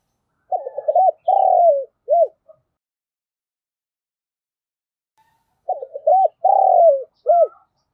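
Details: Spotted dove kept as a decoy, cooing to lure others: two identical low phrases of stutter, long coo and short final hook, separated by about three seconds of silence.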